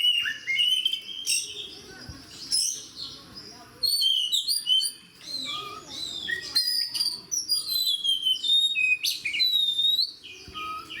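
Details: Oriental magpie-robins singing in gacor, fighter manner: fast, crowded whistled phrases with high piercing notes, rasping bursts and lower slurred whistles, almost without pause.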